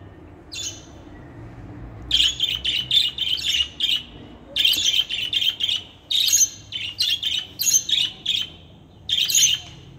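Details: A female budgerigar (Melopsittacus undulatus) chirps in bursts of harsh, scratchy notes, repeated in quick clusters with brief pauses between.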